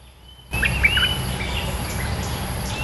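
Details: Red-eyed bulbul singing as a lure bird, its territory-lord song a sudden run of rich, bubbling warbled notes over a hissing background, with a faint long whistle from another bird at the start.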